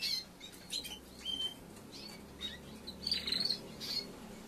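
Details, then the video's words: Young male Timbrado canary after moulting, trying out its developing song: scattered short high chirps and brief trills in separate bursts, with quiet gaps and faint low background hum. "MALE TIMBRADO TRYING SING PROPERLY"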